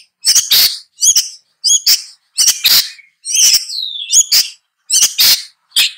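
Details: Long-tailed shrike producing grating double notes interspersed with a clear falling whistle, in phrases of roughly one per second.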